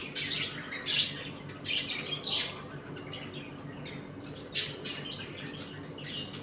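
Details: Pet budgerigars in a home colony, eating and playing, give a few scratchy squawks and chirps spaced by pauses, over a low indoor hum.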